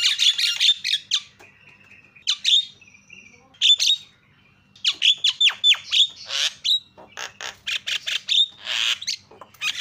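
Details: Jalak starling chatter played to make a quiet bird start singing: bursts of harsh rasping notes and short whistles, broken by pauses, then a dense run of rapid slurred chips and squawks.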